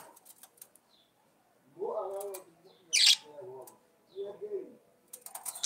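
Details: Budgerigar song: short arched warbling phrases with a low hoarse quality, broken by a sharp hissy burst and scratchy chirps, with brief quiet gaps.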